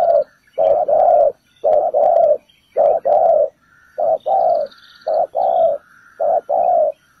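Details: Spotted dove used as a ground decoy to lure birds into a trap, giving loud, low, hoarse coos in short paired phrases, roughly one note per second with brief pauses; faint higher chirps from other birds in the background.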